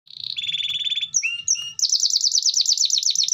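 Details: Canary singing gacor, intended to get other canaries to join in: a buzzy pulsed tone, two high rising slurs, then a quick undulating trill of sweet high notes, over a faint low rumble.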